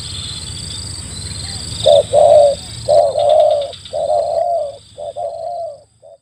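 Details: Spotted dove cooing to draw in wild doves: paired and drawn-out mellow coo notes, some lengthened and slurred, at an uneven pace, over a constant thin high whine.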